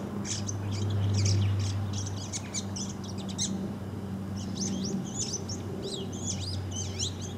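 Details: Bull-headed shrike calling outdoors: rapid bursts of thin, scratchy high chattering notes in two spells, with a short pause between them, over a constant low hum.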